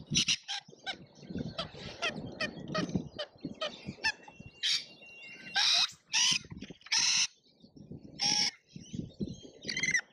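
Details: Lorikeets in a feeding frenzy at a feeder in Australia: loud harsh screeching bursts mixed with rapid chattering squeaks and scratchy notes from several birds, with a low rumbling background.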